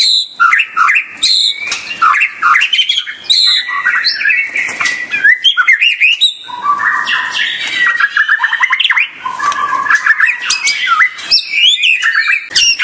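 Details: White-rumped shama song: a dense, rich stream of varied whistles, rapid chattering trills and sharp sweeping notes, loud and continuous with brief pauses.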